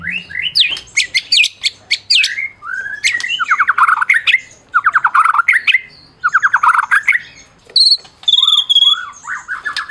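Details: A Medan white-rumped shama pours out a rich, varied song of clear whistles, fast rattling trills and sharp chipping notes, changing phrase every second or two.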